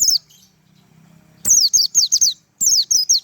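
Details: Japanese white-eye in tembakan song, shrill high whistled phrases in bursts: a short note at the start, silence, then two clusters of rapid, sharp downward-slurred notes separated by a brief pause.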